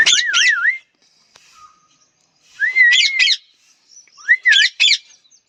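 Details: Short phrases from a parrot, each mixing a looping, wavering whistle with two or three coarse squawks, separated by quiet gaps.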